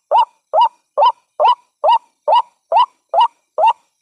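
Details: White-breasted waterhen lure call: nine evenly spaced harsh notes, each rising then flattening, delivered a little over twice per second in a clean recording.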